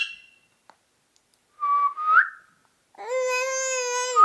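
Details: Ring-necked parakeet mimicking speech, with a couple of clear whistled notes that rise at the end, then a sustained nasal, voice-like phrase holding steady before a final upward whistle.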